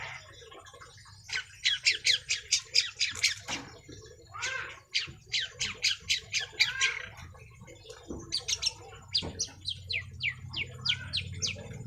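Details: Young long-tailed shrike keenly singing its collected phrases: runs of sharp, evenly spaced high notes, about eight in quick succession, repeated in several series with brief gaps and a low hum beneath.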